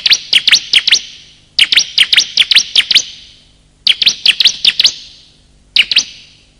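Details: Bar-winged prinia, male and female calls used as a lure for wild birds and to prompt silent caged birds: bursts of sharp, high chirps in quick groups of three to six, each burst trailing into reverberant echo.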